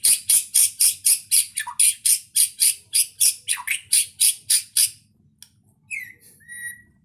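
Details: Murai batu, the white-rumped shama, singing energetically in full-isian style: a fast series of loud rasping notes about four per second for five seconds, then softer whistled slurs and thin high tones.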